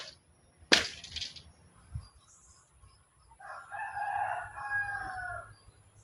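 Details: Rooster crowing in the background at a jungle garden in Palawan, Philippines, while a bamboo fence is taken apart: a single drawn-out, hoarse crow from a short distance, about two seconds long, just after a sharp wooden knock.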